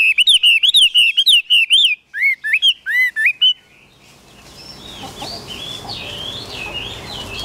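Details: Tame caged Chinese hwamei delivers a fast series of bright, looping whistles, then shorter upward-swooping notes. Its song fades into softer, distant-sounding warbling over a background hiss.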